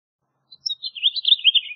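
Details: A brief House Finch phrase: a few thin notes lead into a short, slurred, descending warble.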